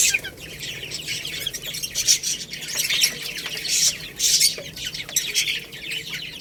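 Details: Baby chickens eating rice chirp in a thick, shrill chorus of quick downward peeps, pulsing louder in bursts, with occasional clicks.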